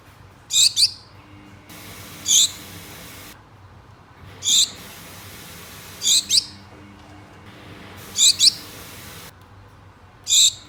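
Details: Two Gouldian finches kept as pets, calling a mate: six loud high-pitched call bursts, several doubled, spaced about every two seconds, with a faint background hum.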